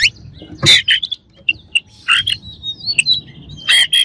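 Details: Oriental magpie-robin singing to provoke a rival bird: scattered harsh chirps and rasps, a slurred whistle and a final loud burst, over a faint low rumble.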